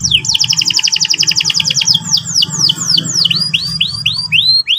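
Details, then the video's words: Canary in morning song, ngeriwik-ngerol type. It opens with a quick series of high chattering down-slurs, then slows into looping whistled notes repeated about twice a second. Faint low rumble in the background. "pancingan burung kenari pagi hari terapi paud cepat bunyi ngeriwik ngerol"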